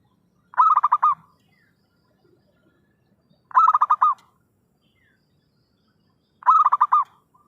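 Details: Zebra dove lure call used for trapping: three bursts of rapid, pulsed cooing notes near one kilohertz, each under a second long, repeated about every three seconds against a quiet background.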